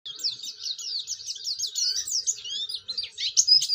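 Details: Oriental white-eye, described as a vigorous singer learning to open its beak, used as a lure to prompt other white-eyes to sing: a continuous high, thin twittering of quick rising and falling notes, steady for nearly four seconds, with no other sounds.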